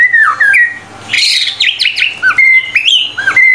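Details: Actively singing white-rumped shama in a recording made to train other birds: pure whistled notes alternate with a burst of harsh, buzzy, chattering phrases, then more clear looping whistles, over a low hum.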